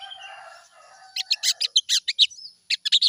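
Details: Morning lure recording of sooty-headed bulbul song meant to make a bird sing quickly: a lower, softer warbled passage gives way to loud, quick, high chirps in a rapid run, then a final short burst.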